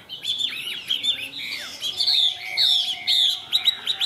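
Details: A caged Chinese hwamei sings while nodding its head, pouring out a fast, unbroken run of rich whistled phrases with sliding rising and falling notes, quick trills and shifting tones, over a faint low hum.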